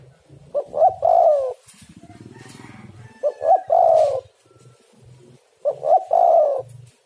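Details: Tekukur or spotted dove calling to lure birds: three mellow cooing phrases, each two quick hoots and a long falling coo, about every two and a half seconds, with soft low murmuring between.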